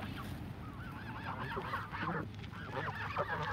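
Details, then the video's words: Canada geese in a flock at feeding time give a run of nasal, harmonic honks, short calls strung together in two clusters, over a steady low-pitched background hum. "Feeding the flock of Canada geese"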